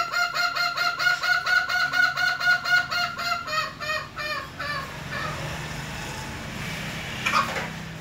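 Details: A young junglefowl crowing for the first time: about ten short, hoarse, mid-pitched notes, roughly two per second, then fading out, with a brief sharp sound near the end.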